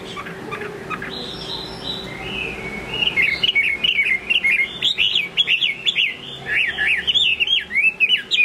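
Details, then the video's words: A Chinese hwamei sings in the late afternoon: a loud, rich run of rapid slurred whistles and warbled phrases rising and falling in pitch, after a few seconds of softer background chirps. "Hoạ Mi"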